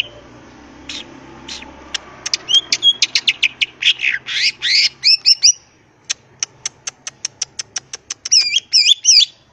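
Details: Greater green leafbird singing in ngentrok style with full isian over background hiss: scattered clicks build into a fast burst of ticks and warbles, then an even rattle of ticks and looping whistled notes.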